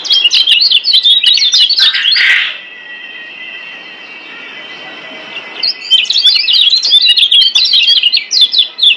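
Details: Lombok white-eye, or kecial kuning, master song for training caged birds: bursts of rapid high twittering with a harsh chatter, a three-second lull of faint steady tone, then fast twittering again.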